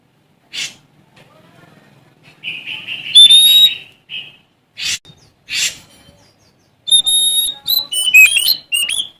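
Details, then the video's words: Oriental magpie-robin of the Sumatran type singing to challenge rivals. Harsh scratchy bursts and a buzzy, tremulous phrase come first, then a run of bright, varied whistles and fast twittering notes. "Suara Asli Kacer Sumatra Gacor Cari Lawan"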